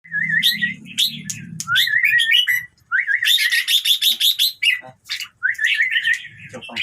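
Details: Red-whiskered bulbul song meant to excite other birds into singing along. Bright warbled whistled phrases, each with a wavering, rising-and-falling pattern, repeat rapidly. A burst of dense high chirping sits in the middle, and a low hum runs through the opening seconds.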